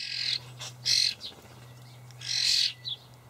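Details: Common starling young begging as parents bring dried buffalo worms, Hamburg allotment garden, 28 May 2012; two long rasping screeches separated by softer chirps, over a low hum.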